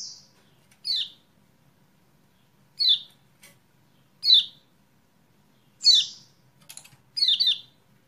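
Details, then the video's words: Lemon-bellied white-eye recording, dated 28/11/20, played as a lure to get silent birds singing: sharp, high, downslurred chirps, single or doubled, spaced one to two seconds apart over a quiet low hum. "PANCINGAN CEPAT GACOR UNTUK KECIAL KUNING MACET"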